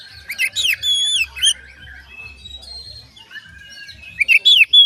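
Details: Oriental magpie-robin song used to trigger singing in other magpie-robins: a burst of harsh, varied whistled notes, then quieter thin whistles, and a loud piercing phrase at the end.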